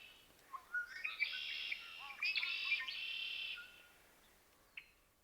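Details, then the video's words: Red-winged Blackbirds singing from a moist depression in a wheat field, Chouteau County, Montana, USA, early morning of 5 June 2025 during a breeding bird survey: a few sharp introductory notes, then a long buzzy rattling trill, faint call after. "Redwing blackbirds sing from a moist depression in the field."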